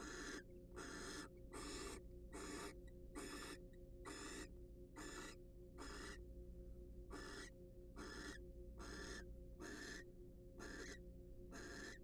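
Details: Wild barn owls at a nest box during a preening and courtship session give rasping, noisy hiss-like calls in a steady series, roughly every 0.8 seconds, over constant low hum.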